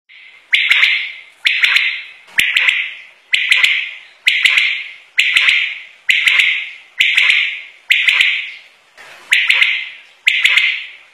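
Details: A single Common Quail (dughla batair) gives a harsh, rasping burst about once a second, eleven times in a row, each fading quickly, with no other sounds behind it.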